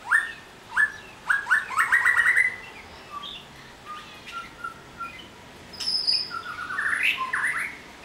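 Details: White-rumped shama singing varied clear whistled phrases, rising slurred notes and quick repeated chips, with pauses between phrases and a faint background hiss.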